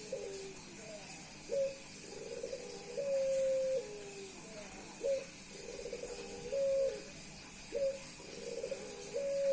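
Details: Puter Pelung dove, a male reacting to a female by cooing nonstop as a display: repeated low phrases open with a quick bubbling roll and end in a held, even note, about five phrases spaced a second or two apart.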